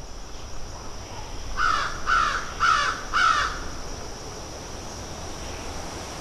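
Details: Crows pecking and feeding give four harsh caws in a quick, even series about half a second apart, then fall quiet against a steady hiss of outdoor background noise.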